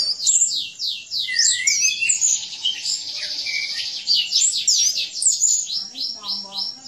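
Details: Caged orange-headed thrush singing hard in 'gacor' style for training birds: a continuous stream of fast sweeping high notes and trills, with a low buzzy note in the last second.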